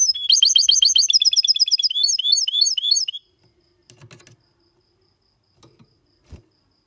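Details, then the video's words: Clean song of a goldfinch x canary hybrid, Malaga copy style, recorded in 2022: three seconds of fast, high twittering and buzzy repeated notes, then silence broken by a few soft clicks and knocks. "Mixto de Jilguero X canari canto Limpio"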